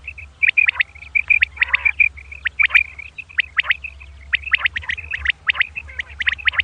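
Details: Female common quail at dawn giving a steady stream of crisp, high, clicking chirps along a thin whistled tone, with one brief hoarse burst, over a low hum.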